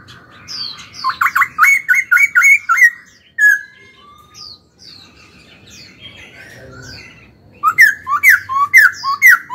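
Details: Young caged laughingthrush being trained to sing: a rapid series of about six bright, rising whistles, scattered thin high notes during a quieter middle stretch, then another fast run of loud, looping whistled notes.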